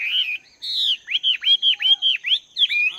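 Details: Caged wild-caught Chinese hwamei, two months in captivity, training its voice in the morning: a sweet whistled phrase, a higher slurred note, then six fast repeated arched whistles and a final twisting note.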